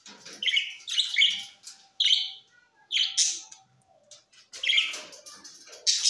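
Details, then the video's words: Parrot recorded on September 13, 2023 in Larkana, Sindh, giving harsh, raspy squawks in short bursts about once a second, each a rough grating note with brief quiet gaps between them. "Great Preform parrot 🦜 is Bueatiful Sounds great"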